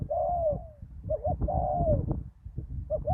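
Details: On a ground lure site after a storm, a decoy spotted dove and a deep-voiced wild bird give two long, smooth, sliding coos separated by a quick doubled hoot, with rumbling low noise and soft knocks.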